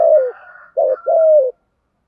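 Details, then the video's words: Spotted dove in giọng thổ voice, thúc gù cooing: the tail of a falling coo, then a short low note and a long steady coo that drops at its close. "cu gáy thúc gù giọng thổ hay rút bổi cực đỉnh"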